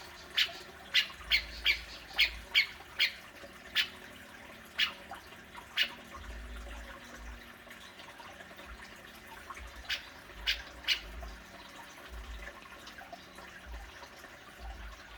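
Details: Cucak jenggot, the grey-cheeked bulbul, played to provoke a pet bird into calling: sharp harsh high notes in an early burst, then scattered single notes and short pairs at uneven gaps, with soft low background rumble.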